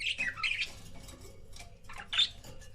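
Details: Budgie couples kept as pets give a quick run of squeaky, slurred chirps at the start, then a single sharp chirp near the end over faint room hum.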